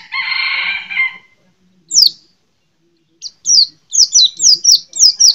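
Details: A harsh, rasping buzz opens, then after a gap the white-eye delivers a quickening series of sharp, high, down-slurred whistles, about eight notes close together.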